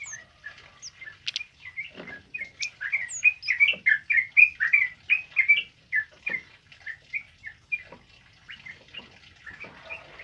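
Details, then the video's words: Tame male kemade in full song, meant as a tutor recording: a long chattering run of rolling, warbled mid-pitched notes that peaks mid-clip and then fades to spaced chirps, with a few high thin whistles. "Suara Burung Kemade Jantan Jinak Gacor Ngalas Buat Masteran"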